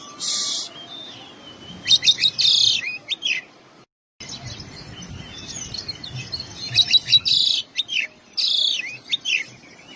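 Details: Oriental magpie-robin song full of mimicked material: harsh broadband rasps alternating with clipped chirps and a long thin whistle, in two loud bouts split by a brief dropout.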